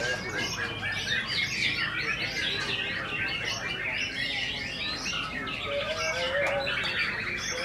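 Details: White-rumped shama at its first singing competition in Mojokerto, 22 October 2023: a dense, rapid run of varied whistled and chattering phrases, fast and unbroken, over a steady background of other birds and crowd noise.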